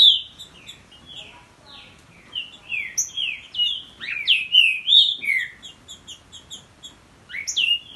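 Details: Two Green-winged Saltators, a young captive-bred chick and its champion father, sing against each other in loud, clear whistled phrases of rich, slurred falling and rising notes, overlapping in quick back-and-forth bursts.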